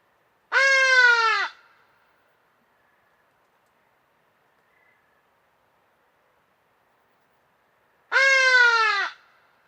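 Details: Loud, strident hadada ibis calls of Africa south of the Sahara: one harsh braying note near the start and another after about seven seconds of quiet, each rich, nasal and sliding slightly downward.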